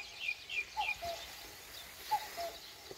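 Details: At dawn in rural Korea, a common cuckoo gives two falling two-note calls about 1.3 seconds apart, while other small birds chirp sharply at higher pitch throughout.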